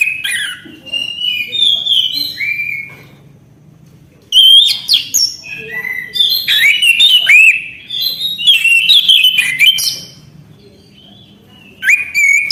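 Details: Vigorous singing from an orange-headed thrush, rich varied whistles and rapid twittering flourishes packed into long phrases, some sliding downward, broken by brief silences, over a quiet low hum.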